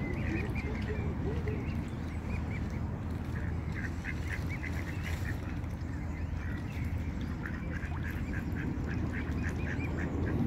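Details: Ducks on a pond give rapid runs of short nasal quacks, one group early and a longer chattering series later, above a constant low rumble of wind and water.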